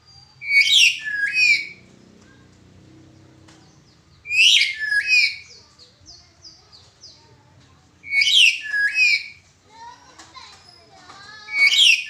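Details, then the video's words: Black-capped lory in 'suara pecah' cracked-voice style, a recording for training other birds: paired harsh, ringing screeches repeated about every four seconds, with softer chattering and thin whistled notes between them. "Burung Nuri kepala hitam suara pecah"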